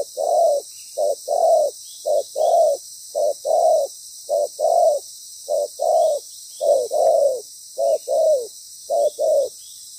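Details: Loud-voiced spotted dove decoy, described as having a good, well-patterned song, calling during ground-decoy trapping. About nine quick pairs of low coos, a short note then a fuller one, repeated almost every second. A faint high hiss runs throughout.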